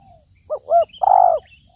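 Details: A spotted dove calls as a trapping lure, giving a single brief phrase: two quick soft hoots, then one longer, full coo. Faint high bird chirps are heard in the background.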